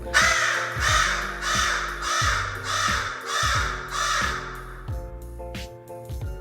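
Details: A crow caws repeatedly over a person, something it simply does at times: about six harsh, buzzy caws, roughly one every 0.7 seconds, then fading, over steady low musical tones.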